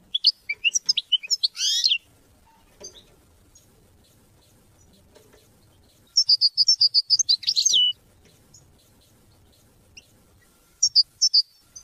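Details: European goldfinch song, played to teach and motivate hunting and mating: three bursts of rapid, high, tinkling twitters with fast liquid trills, separated by long quiet pauses, with a faint low rustle underneath.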